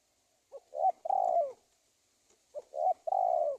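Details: Spotted dove lure call from Indonesia, used to attract wild doves for trapping: two phrases, each a short low note followed by two mellow, hollow coos, the last one long and slightly falling, with a quiet pause between.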